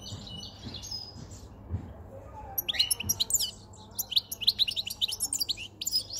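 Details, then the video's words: European goldfinch, a white-chinned caged male taken five months earlier, singing close to spring; a quiet start, then a long lively stream of high rapid twitters and tinkling notes. "jilguero jilguero con Barbeta blanca cantando"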